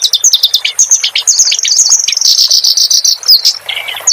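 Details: Clamorous reed warbler singing in a training recording for songbirds: a dense, scratchy run of quick high chirps and whistled slurs, with a harsher burst near the end.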